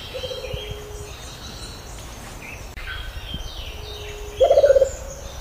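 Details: Rufous-capped motmot (juruva) song: a soft low pulsed hoot-series with a trailing tone, then a loud, rolling, bubbling trill near the end. Faint higher calls of other birds sit in the background.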